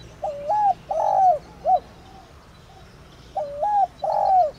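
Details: Thổ đồng spotted dove calling to stimulate other doves: a soft phrase of wavering double hoot, long descending coo and short closing note, repeated after a gap of about two seconds.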